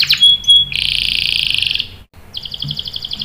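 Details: Canary song used as a lure to get other canaries singing: a short high whistle and buzzy trill, then a long fast rolling trill, a brief pause, and a quieter repeated high chirping phrase.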